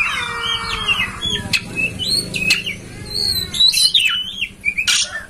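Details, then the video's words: Kacer, or oriental magpie-robin, master song meant to make a kept bird open its tail and sing: varied clear whistles, rising and falling slurs and sharp clicks, with a low background hum early on. "Masteran kacer agar ngobra"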